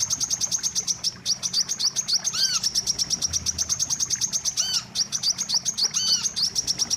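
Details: Wiceh bird sound for luring birds into traps: continuous quick, sharp high chirps, overlaid at intervals of about two seconds by single arched, ringing notes.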